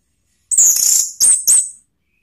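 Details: Very high, thin, hissing phrases from an orange-headed thrush, ngeplong-style lure song to get other birds singing: one drawn-out burst followed by two shorter upward-flicking ones.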